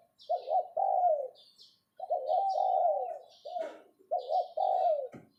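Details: Captive decoy spotted dove giving the 'phao' calling style: hoarse, rolling coo phrases in a low-mid register, each a quick stuttered start then a long falling coo, repeated about every two seconds, with faint high chirps from other birds.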